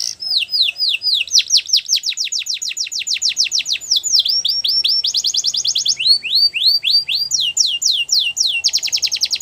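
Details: Belgian canary singing a long varied phrase: rapid descending whistled sweeps, buzzy fast trills and upturned slurs, alternating in quick succession without pause.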